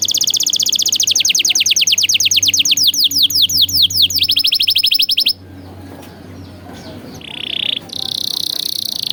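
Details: Tutor song for training young canaries in a rich 'cengkok' style. A fast string of sharp down-slurred whistles runs for five seconds, then quieter gaps, a short buzzy phrase and a high trill over faint hum.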